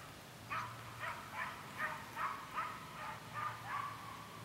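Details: Common snipe at Rozkoš reservoir, 29 August 2015: a series of about nine short, harsh notes, roughly two per second, over a steady low background hum.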